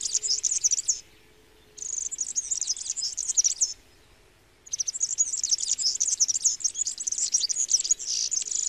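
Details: European serin song: very high, fast jingling and sizzling phrases, like a rapid metallic twitter, in three bursts broken by short pauses of about a second.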